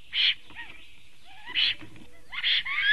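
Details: Black stork at the nest, morning of 6 May 2019, giving three spaced, hoarse bursts about a second apart, each with a short upslurred whistle, over a quiet background.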